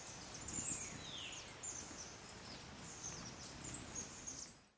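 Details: Collared Inca (Coeligena torquata) in Bellavista Cloud Forest Reserve, Ecuador, May 2012, giving very high, thin ticking chips in irregular bursts, with a brief down-slurred whistle near the start, over a soft steady hiss.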